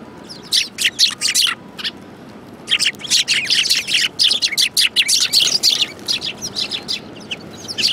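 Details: Sparrows crowding around food at a Tenmangu shrine on 22 January 2018, producing dense overlapping chirps and chatter, nearly continuous after a short lull, many birds calling at once.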